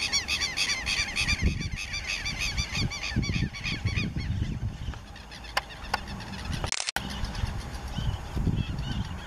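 Southern lapwings call in harsh, strident notes repeated rapidly, loudest in the first few seconds, over low rumbling wind noise and a brief dropout.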